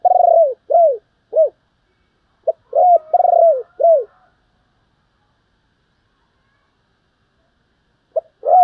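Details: Spotted dove kept as a decoy, calling in a voice meant for luring: two quick runs of three to four loud, bowed coos, each starting with a brief clipped note, then quiet until a new phrase begins.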